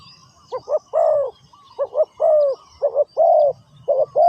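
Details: Decoy spotted dove at a ground trapping site gives steady cooing phrases: quick paired hoots, then a drawn-out mellow coo that slides downward, repeated several times without pause.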